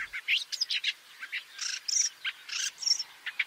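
Woodchat Shrike song: a rapid, varied jumble of scratchy chatter and thin high whistles, with short phrases run together and some repeated.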